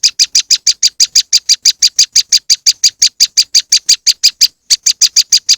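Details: A fast, unbroken chain of dry, buzzy high chips from a moss wren lure recording, about five each second, with one brief hitch near the end.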